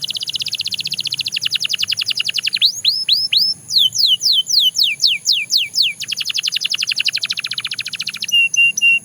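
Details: Belgian canary singing: a rapid buzzy trill, then a series of downward-swept whistled notes, back into a fast rolling trill, closing with a few short clipped notes; a faint steady high tone persists behind.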